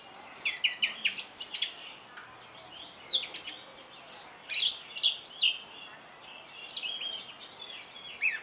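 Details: Song thrush song made of rapid, shifting bursts of whistled and chattering notes, several short phrases in quick succession with high sharp elements, set against a low hiss.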